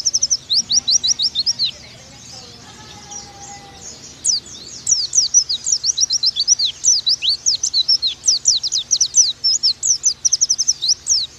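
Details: Oriental white-eye tutor song for training birds: a short burst of high chirps, a quieter pause with soft lower whistles, then a long lively stream of sharp, rapidly repeated high slurred notes.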